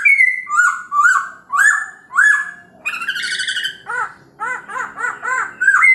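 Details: Morning song of a Chinese hwamei meant to stir other birds to reply: rich whistled notes repeated in quick phrases, shifting to a run of rapid buzzy, arched notes, then a bright whistle at the end.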